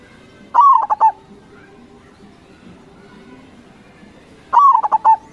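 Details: Crossing-type zebra dove (perkutut), singing actively, played as a lure for local perkutut: two short, mellow cooing phrases about four seconds apart, each a quick stuttered run of notes ending in a held tone, over faint low background hum.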